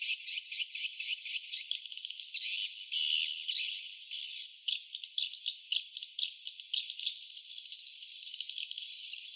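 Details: Swiftlet chatter at the nest: quick, evenly pulsed high clicks at first, then a smoother, unbroken shrill trill in the second half.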